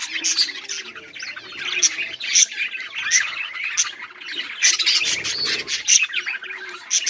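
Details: A group of budgerigars recorded on 18 July 2023 keeps up a dense, continuous chirping chatter, with high sharp tweets and squawks layered over busy warbling throughout.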